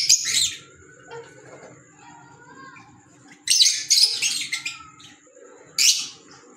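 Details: Pet green Fischer's lovebirds calling indoors: a loud shrill burst, a quiet gap, then a cluster of harsh high chirps and a final sharp squawk, over low hum.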